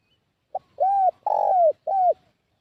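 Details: Decoy spotted dove calling to draw in wild doves: a brief clipped note, then three low hollow coos, the middle one longest and sliding downward, delivered in one clean phrase with a quiet background.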